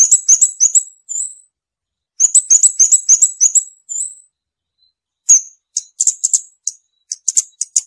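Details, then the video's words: Scarlet-backed flowerpecker delivering fast chains of high, thin, slightly rising notes, then a pause and scattered tinkling ticks. Only the bird is audible. "เสียงนกชมพูสวน, นกขุนช้างขุนแผน, Scarlet-backed Flowerpecker Song."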